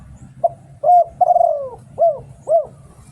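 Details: Lure song of a spotted dove from Thailand: a brief clipped note, then a full level coo, a drawn-out rattling coo falling in pitch, and two rounded hooked coos closing the phrase; faint low rumble behind.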